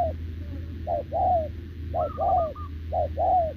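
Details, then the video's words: Short-legged, wild-caught caged spotted dove cooing back at a decoy bird, 6 November 2024: low mellow coos in pairs, a short note then a longer drawn one, about once a second, with a brief higher trill above and a steady low hum. "Bổi đồng chân lùn | Bo mình chắc đẹp | gù liền với mồi Đồng TT"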